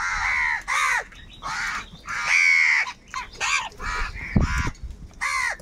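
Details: Several crows fighting for food, caws angry and insistent: rough, nasal calls come in irregular bursts about every second, some long and drawn out, others short and clipped, voices overlapping.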